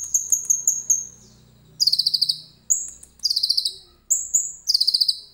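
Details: Common iora singing with cililin imitation, phone recording: a high whistled note followed by a fast descending buzzy trill, the whistle-then-trill pattern repeated three times.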